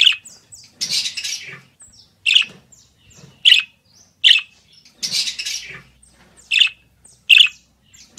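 Budgerigar chatter: scratchy, high squawks and chirps in bursts about a second apart, irregular, with nothing else heard.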